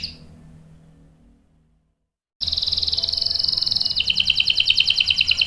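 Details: Canary delivering a long rolling song for luring and tutoring young birds. After a quiet pause, a fast, buzzy high trill starts, then shifts to a lower, pulsing roll.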